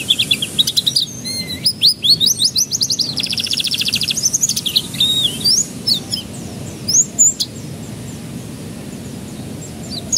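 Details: Canary song meant to coax young canaries into singing: varied whistled notes, a long fast buzzy trill, then scattered sharp chirps and twitters growing sparser toward the end.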